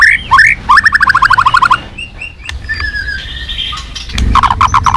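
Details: White-rumped shama fighting song with a fast repeated chattering trill, scattered whistles and later another trill burst, over noticeable background noise.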